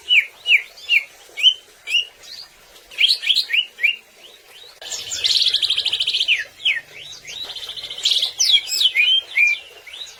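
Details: Greater green leafbird singing, played to make other birds sing: varied rising and falling whistled notes in short bursts, with a buzzy rapid trill in the middle, loud and continuous.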